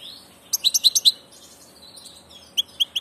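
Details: European goldfinch of passage, a migrating bird, giving a rapid run of bright, high chirping notes in a short burst, then a quiet gap and three more sharp tweets.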